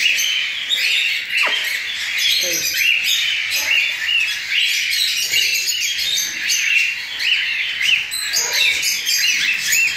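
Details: Hand-fed young cockatiels, a group just out of the nest, call during feeding: repeated short arched chirps over a continuous harsh rasping chorus, with occasional soft handling noises.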